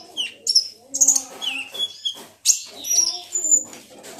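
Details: Kolibri ninja, the olive-backed sunbird, in a lure recording used to trigger singing: varied high chirps and short whistled slurs in irregular bursts, roughly two per second.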